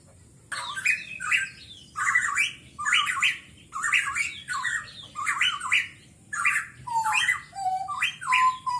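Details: Pitohui song played as a lure to get birds singing: harsh, squawky two-part phrases repeated roughly every second, each rising then dropping, with a few lower whistled notes near the end over a steady faint hiss.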